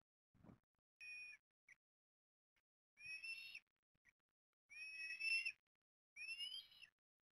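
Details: Port Lincoln eastern ospreys, Australia, morning chick feeding, 20 September 2022: four separate shrill, slightly wavering whistled calls spaced about one to two seconds apart, after a short low knock at the start.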